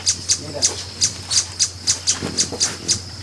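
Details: Brazilian ruby hummingbird calling: a fast series of sharp, very high chips, about three or four each second, evenly spaced, with a low steady hum underneath.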